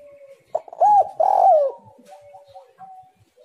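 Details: Spotted dove (tekukur) singing, played as a lure to prompt other doves to call: a soft lead-in note, then two loud arched coos in quick succession, then fainter drawn-out notes fading away.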